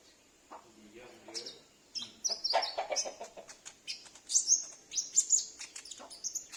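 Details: Captive sunbird kept at home, singing as a lure for wild or escaped sunbirds; high, thin chirps and short whistles that build after a quiet start, densest in the final seconds, with a faint lower rasp early on.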